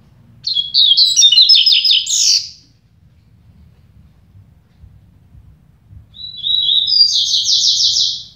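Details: Two double-collared seedeaters in a song contest: a rapid buzzy, trilled phrase of high notes lasting about two seconds, a pause, then a second rattling phrase starting with a thin whistle.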